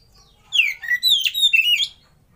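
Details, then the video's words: Lure song of an Oriental magpie-robin, played to set other birds singing: one clean phrase of about one and a half seconds that opens with a sliding whistle, then runs through quick, rich warbles. "Suara Pancingan dan Masteran Kacer"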